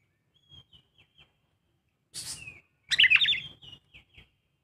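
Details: Young Oriental magpie-robin singing: short, thin whistled notes, then a burst of harsh, scratchy sound and a loud, rapid, tumbling phrase of mixed whistles, followed by a few more brief notes.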